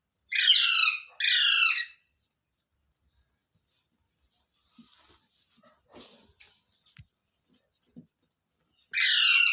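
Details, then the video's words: Rose-ringed parakeet, a ringneck parrot, giving harsh, raspy screeches: two loud back-to-back squawks, a long quiet gap with faint clicks and rustles, then one more grating squawk at the end. "Funny Parrot Sounds Videos | Tote Ki Awaaz"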